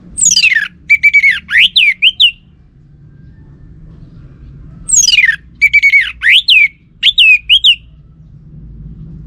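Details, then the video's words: Orange-headed thrush song used as a lure for males to reply: two matching phrases about four seconds apart, each opening with a long downward-sliding whistle and continuing with rapid, varied slurred notes; steady low hum beneath. "Pancingan Burung ANIS MERAH"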